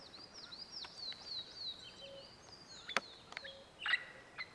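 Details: Olive-throated Parakeets in Belize give a rapid run of shrill, slurred chattering notes, about one a second, with a few sharp clicks and knocks.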